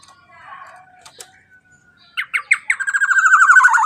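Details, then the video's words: Black-naped oriole singing loudly as a lure to set other birds singing: faint chatter first, then a fast series of sharp, ringing notes that speed into a dense, buzzy trill. "Pancingan Suara KEPODANG EMAS GACOR Super LANTANG Cocok Untuk Pancingan Burung Bahan Agar Ikut Bunyi"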